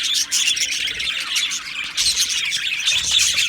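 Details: Short burst of Australian budgie aviary chatter, 12 July 2025, a crowded mix of squeaky chirps and warbling from many birds, briefly dipping before swelling again.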